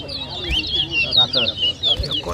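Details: Brief burst of towa towa song during a 2023 whistling competition in New Amsterdam, Berbice, Guyana: clear, high upslurred and looping whistles, with a couple of low thumps.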